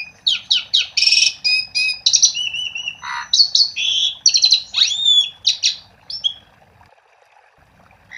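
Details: Energetic song of an Asian pied starling, played to get other starlings singing: a dense rapid series of harsh buzzy bursts and whistles, a low rasp, a rising slur, then fading single notes.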